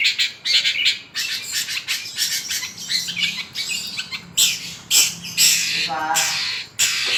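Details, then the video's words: Long-tailed shrike pouring out a busy song with fill-in phrases, harsh high chattering notes in long bursts, broken by short pauses, with a quick trilled note near the end. "CENDET GACOR FULL ISIAN MEWAH SUPER"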